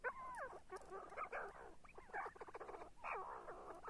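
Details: See-see partridge calls: a busy run of curving, whistled notes that slide up and down, overlapping in quick chattering bursts with brief pauses between groups.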